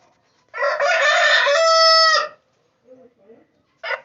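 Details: A rooster crows once, loud and harsh, for nearly two seconds, ending on a held, drawn-out note; a few faint murmurs and a brief rasp follow.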